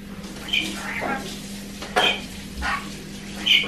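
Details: Two-year-old pet male rainbow lorikeet exploring a kitchen, giving three short, shrill screechy chirps about every one and a half seconds over a steady electrical hum and light kitchen clatter.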